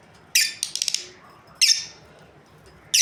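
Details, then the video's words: Lovebird breeding pair giving a sharp shriek followed by a fast stutter of short clicking chirps, then two more loud raspy calls about a second apart. "Amazing Lovebirds Chirping Sounds | breeding pair"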